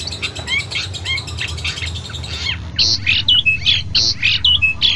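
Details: Long-tailed shrike in an Indonesian tutoring recording for training caged birds to sing well and win contests: a rapid run of chirps and squawky notes, then loud, sharp, whistled notes repeated in quick bursts, over a low background hum.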